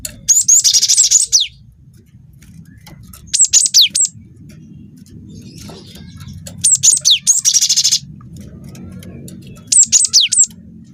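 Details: Young cinereous tit singing vigorously, used as a lure to provoke other birds to sing: four bursts of high, sharp whistled notes with steep downward sweeps and a rapid rolling buzz, separated by pauses of about two seconds, over low background hum.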